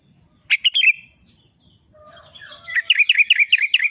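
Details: Sooty-headed bulbul in breeding condition giving a short liquid phrase, then after a pause a rapid run of about eight repeated chirping notes, with a sustained thin high tone behind.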